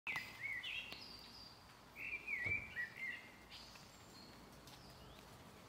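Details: Black redstart (Phoenicurus ochruros) at Rakovnik, Ljubljana, Slovenia, on 4 June 2023, giving two short bursts of thin, slightly wavering whistled notes a couple of seconds apart, over a steady low background hum.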